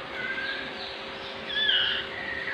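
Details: Captive white-rumped shama chicks, sick with diarrhea and being handled for cleaning, give a few thin high chirps, one brighter slurred note midway, over a steady background hiss.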